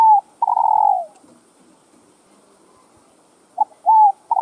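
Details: Spotted dove calling to stimulate other doves: opens with a short note and a long steady hollow coo, then silence, then a few shorter coo notes at the end.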